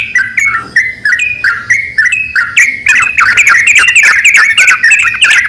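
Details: Male and female Javan mynas calling back and forth: a loud run of clicky, harsh notes mixed with short whistled bars, repeated rapidly about three per second, building denser and more excited in the second half.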